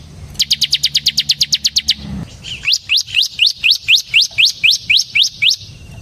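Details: Bar-winged prinia, ciblek semi, singing a lively song used as a lure for ciblek birds: a fast run of sharp high chips, then a series of rising whistled notes repeated about every third of a second.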